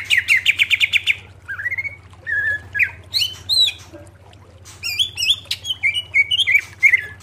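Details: Greater green leafbird song used for training cage birds: a fast run of repeated rising notes, then varied whistled slurs and clear chirps around mid pitch, with a steady low hum beneath.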